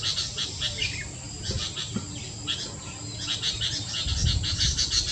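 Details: A pair of Sooty-headed Bulbuls (Pycnonotus aurigaster), recorded 7 July 2023, give quick, chattering bursts of bright call notes over a low background rumble.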